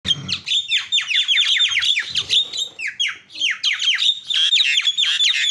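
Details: Javan myna calls used to provoke other mynas into calling: a dense run of harsh, descending squawks and chattering notes, many overlapping, loud throughout with brief pauses.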